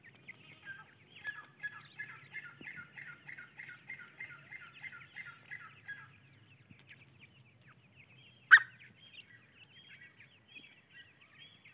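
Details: Grey francolin chicks searching for food give a fast run of chattering, slightly harsh notes, about three a second, then a sudden loud knock and more scattered calls.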